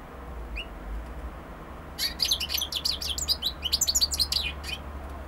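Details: Singing European goldfinch opening with a single faint rising note, then a fast jangling run of liquid twitters and chirps lasting about three seconds over low background hum.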